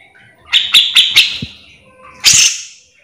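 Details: Grey-cheeked bulbul, full gacor song for training or luring others of the same kind; four sharp, rapidly spaced high chirps, a short gap, then one harsh, noisy burst.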